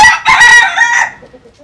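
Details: Short, loud fragment of a vigorous crow from a Japanese–Cuban bantam rooster: harsh, ringing bursts broken by a brief gap, fading out within about a second.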